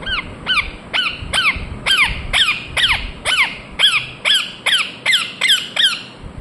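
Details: Rapid, steady series of loud, piercing squawks from an Indian ringneck parakeet, roughly two per second, each a harsh harmonic note falling in pitch, continuing without pause for over six seconds.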